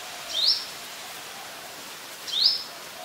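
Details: Brown-throated sunbird recorded on 2 January 2021 in Ubon Ratchathani, Thailand, with a Nikon P1000: two crisp, high, upslurred notes about two seconds apart over steady faint hiss.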